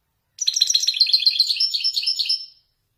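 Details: Wedani goldfinch, Moroccan, delivering an authentic Marrakchi 'nzoulat' phrase: about two seconds of quick, crowded, metallic twitters and trills, high-pitched and continuous, ending abruptly into silence.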